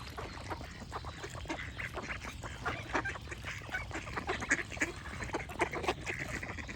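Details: A flock of ducks chatters continuously, raspy quacks tumbling over one another, growing busier and louder midway, with a low hum in the background.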